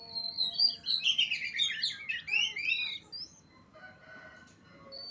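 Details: Oriental magpie-robin of Utan Kayu, Matraman, pouring out about three seconds of quick, jumbled whistles and buzzy trills, then falling nearly silent apart from a few faint distant notes and low background hum.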